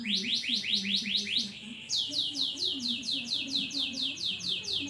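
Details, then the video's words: Canary singing a rolling tour of repeated high, downward-sweeping notes, about two to three per second, broken by a brief pause before the series resumes, over a low murmuring background sound. "suara kenari ter indah"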